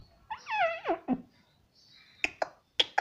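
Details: Pet parrot indoors gives one descending, wavering voiced call, a short low note, then a faint whistle and several sharp clicks.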